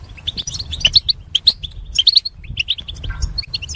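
A goldfinch sings a quick, tinkling twitter of high, bright chirps and short trills, several notes each second, over a faint low hum.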